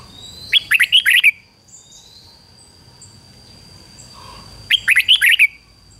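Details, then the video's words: Red-whiskered bulbul used to lure wild birds, singing two fast warbled whistle phrases of about six notes each, some four seconds apart, with a steady thin high tone and faint distant calls between. "Chào mào mồi gọi bổi 20 phút Chào mào mồi hót gọi bổi đỉnh cao chuẩn nhất"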